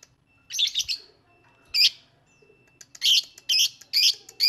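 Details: Lovebird chirping: a few bright, harsh high chirps in short clusters separated by quiet gaps, with a faint steady hum in the background.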